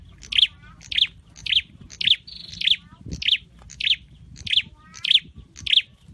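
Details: Scarlet-headed flowerpecker kept in a cage for singing training, giving about nine crisp high ticking chirps in steady succession, one short level whistle between them, and a soft low thump.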